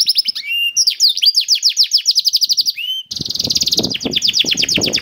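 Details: Canary song meant to stimulate other canaries to sing: quick trills of falling whistled notes and a short buzzy rattle, then a noisier, harsher stretch of dense chattering trills.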